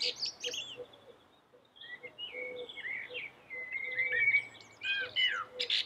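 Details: Common blackbird gives mellow, fluty whistled phrases of slurred notes with some higher twittering, over steady faint low-pitched chirping from another source in the background.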